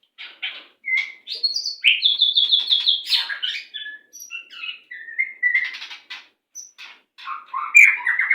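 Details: White-rumped shama song used to train captive birds: a long varied medley of chips, clear whistles and a rapid series of repeated bright notes, with buzzy rattles and quick mimic-like phrases throughout.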